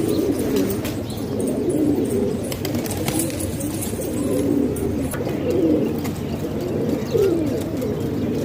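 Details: Pigeons kept at home in Pakistan, several birds cooing in low, rolling phrases that swell and fade every second or two. Faint taps and scrapes are heard in the background.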